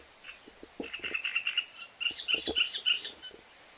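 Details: Song of the great reed warbler, used to call in other birds: a continuous, scratchy run of harsh repeated notes with squeaky accents, accompanied by faint low thumps.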